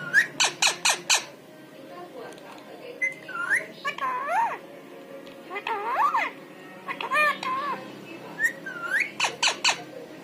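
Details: Pet parrot imitating human voices: bursts of sharp clicks followed by wavering, speech-like warbled phrases and nasal rising notes, then more rapid clicks near the end, with faint indoor background.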